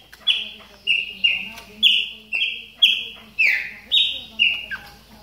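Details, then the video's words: Chopi blackbird warming up in moult: a steady series of loud, slightly downslurred whistled notes, roughly two per second, over a low background hum. "CHAMADOS DE PÁSSARO PRETOS AQUECENDO NA MUDA !"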